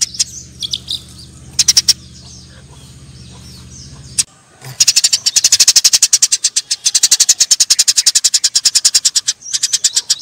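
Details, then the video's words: Fighting Eurasian tree sparrows: scattered high chirps, then after a brief gap a long, dense run of sharp, rapid chirps lasting several seconds, with a low hum in the opening seconds. "suara burung gereja TARUNG"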